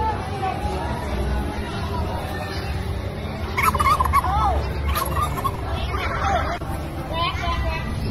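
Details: A turkey gives a short, warbling gobble around the middle, followed by fainter calls amid constant low rumbling background noise.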